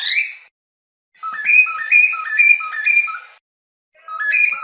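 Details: Cockatiel song opening with a bright rising whistle, followed by an even, bouncing series of alternating low and high whistled notes, then another short run after a pause.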